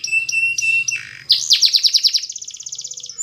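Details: Spanish Timbrado canary training song: three short held whistled notes, then a rough burst, then a rapid bouncing trill of repeated metallic notes that speeds into a fine continuous roll, all high-pitched.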